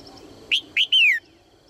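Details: Single phrase from a female red-whiskered bulbul calling to spur males into singing: two short, sharp rising whistles, then a longer, clear note sliding smoothly downward.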